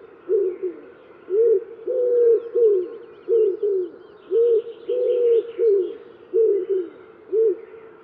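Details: Common wood pigeon giving its low five-part cooing phrase, stressed first syllable, repeated back to back without gaps; soft, hollow notes with faint twittering of other birds behind.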